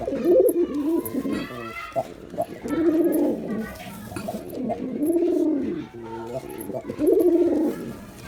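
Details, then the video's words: Male Girabaj pigeon performing: deep, rolling coos in swelling arched phrases, four bouts spaced roughly two seconds apart, with soft clicks and faint rustling between them. "Pigeon Sound Effect || Male Pigeon Super Performance || Girabaj Pigeon"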